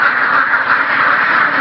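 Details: Farm ducks keep up a loud, continuous flock chorus of overlapping raspy quacks with no clear pauses.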